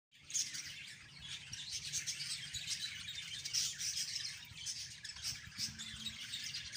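A budgerigar chatters with a steady stream of high, scratchy chirps and warbles.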